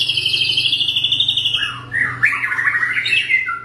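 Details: White-rumped shama singing wild in Bahorok forest: a high fast trill descending slowly, then lower warbled, slurred whistles and a short rising phrase.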